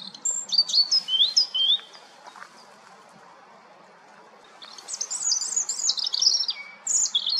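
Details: European robin singing a sparkling phrase of thin whistles and warbles, a long pause, then a second, louder tumbling phrase of high trills ending on a lower held note.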